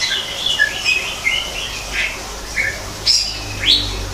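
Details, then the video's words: Greater green leafbird singing in an artificial natural setting, an aviary. Scattered short whistled and slurred notes at varied pitches, some sharply rising sweeps near the end, with a soft low hum underneath. "kicau cucak ijo di alam buatan"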